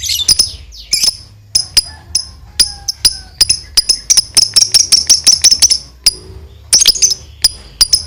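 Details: Lovebird giving a long ngekek chatter, meant to provoke other lovebirds into calling. Shrill, harsh high-pitched notes come in quick bursts, then merge into a dense, rapid unbroken run midway through before breaking into separate sharp notes again.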